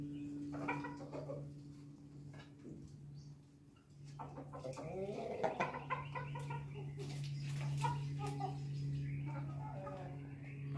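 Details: Ayam Ketawa, the laughing chicken, crowing on a Monday morning: a long, rapidly pulsed, stuttering crow with rich harmonics, rising in loudness midway and continuing toward the end, over a steady low electrical hum and some faint background noise.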